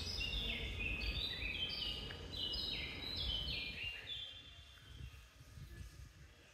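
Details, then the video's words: Common blackbird in the tranquil cloister garden of Santa Chiara, Napoli's centro antico, sharing the air with serin and blackcap; a rich run of stepped whistled notes, falling and rising for four seconds, then quieter background hum. "Blackbird Song Live Turdus Merula"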